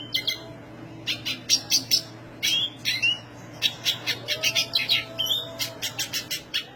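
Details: High-pitched Black siskin song in full flow: fast runs of harsh, buzzy chirps and short twittering notes repeated almost continuously, with brief sliding whistles mixed in.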